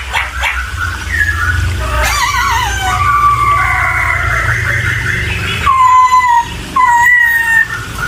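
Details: Laughingthrush (poksay) giving wavering and rising whistled phrases, ending in clear downslurred whistles, over a steady low rumbling background.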